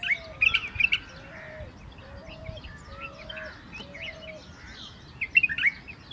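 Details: A white-eared bulbul in Mumbai gives bubbly, chattering phrases in bursts at the start and end, over a steady low hooting note repeated about every second and scattered chirps from other birds.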